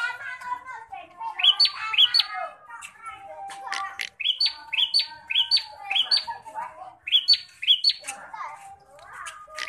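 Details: Bar-winged prinia described as an aggressive fighting bird, giving fast series of sharp, rising, clipped notes repeated in quick bursts, with scattered softer chirps and ticks around them.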